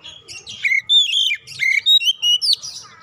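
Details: Oriental magpie-robin song used as a lure to get other magpie-robins singing loudly and showing their full repertoire: a quick run of varied, bright whistled notes and slurred chirps, some rising and some dipping, with faint low background rumble.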